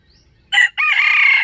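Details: Close, loud wild chicken crow, recorded while trapping on 05/07/2025: a brief opening note, a tiny gap, then a long harsh sustained second part.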